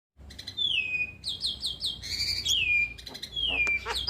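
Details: Starling song used as a tutor recording, played routinely so young or quiet starlings sing often: long whistled notes sliding down, mixed with buzzy chatter and quick stacked chirps, steady low hum underneath.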